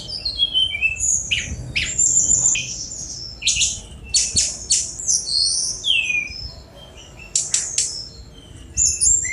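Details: Sunda robin song made of rapid buzzy strokes, thin whistles and falling slurred notes, delivered in clustered bursts with short silences between, and a low background hum.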